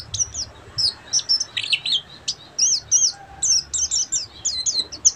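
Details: Full ngeriwik song from a buxtomi Oriental white-eye: continuous rapid high twittering, zigzagging chirps strung in dense phrases, with a soft low rumble in the background.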